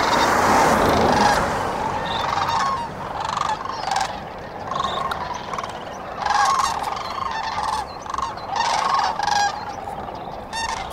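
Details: Sandhill cranes at the Cosumnes River at dawn: a loud rush of noise at first, then repeated rolling, trumpeting rattles from several birds in irregular bursts, some close and some distant.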